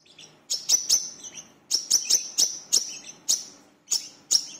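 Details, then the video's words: Brown-throated sunbird (Indonesian 'kolibri kelapa', wiceh/manggar) used as a lure call, singing actively: sharp, very high chips and thin sweeping notes in quick bursts of two to four, with brief pauses between. "Suara Pancingan Burung Kolibri Kelapa (WICEH/MANGGAR) Gacor Beset"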